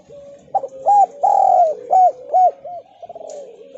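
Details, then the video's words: Spotted dove of the Javan sort giving lure calls to stir other doves: a brief stutter, then a long swelling coo followed by four arched, evenly spaced notes fading into a soft trailing murmur. "Deruk Terkukur Gacor!! [ cu gáy jawa ] Chim cu gáy gọi kích bổi nhanh nổi hiệu quả mới nhất"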